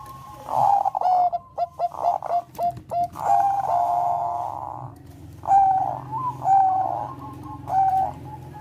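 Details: Zebra dove of the Bangkok type, its song used to bring other doves into breeding condition: a run of short clipped notes followed by long, steady, ringing coos, with a low hum beneath.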